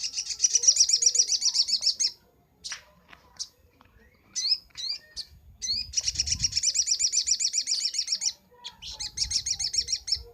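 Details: Crimson sunbird known as sogok ontong, recorded as a training master: long, fast, high, rattling trills of rapid ticking notes, with scattered chips between them and a short pause near the middle.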